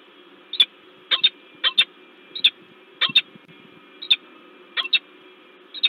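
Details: Peregrine falcon in Gdańsk, Poland, recorded 10 February 2023, giving loud, scolding calls: short harsh single and doubled notes spaced irregularly, roughly one every half second to second, over a low steady hum.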